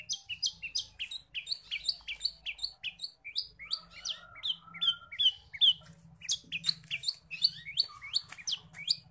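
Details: Long-tailed shrike singing a lively medley of forest bird imitations, meant to spur reluctant shrikes into song: rapid varied chirps, sweeps and trills in quick succession over a faint low hum.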